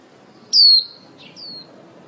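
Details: High, clear whistle falling in pitch, then a quieter echoing slur, from a female white-eye used as a trapping lure and singing líu to call the flock. Background otherwise quiet.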